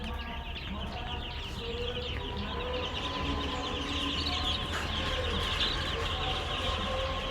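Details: Chicken chicks peeping in a busy stream of short, high chirps that overlap one another, over a steady low hum.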